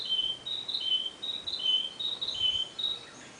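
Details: Narcissus flycatcher in long song: repeated high whistled phrases alternating between two pitch levels, delivered in a quick irregular chain, fading toward the end.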